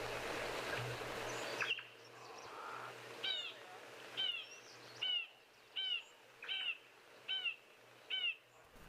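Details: Acacia Pied Barbet calling in the early afternoon on 28 January 2023: a series of short nasal, falling notes repeated about every 0.8 seconds, after a burst of broad noise at the start.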